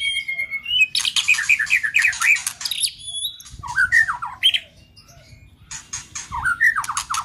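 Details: White-rumped shama song with harsh 'tạch' notes, played to fire up weak or young shamas: a steady whistle opens into fast clicking bursts with dropping notes, a short pause, then more slurred whistles and crackling clicks.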